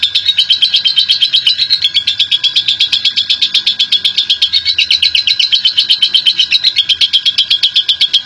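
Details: National champion lovebird in long ngekek, a lure to get other lovebirds singing: continuous rapid-fire high chirping, evenly pulsed and loud from start to finish.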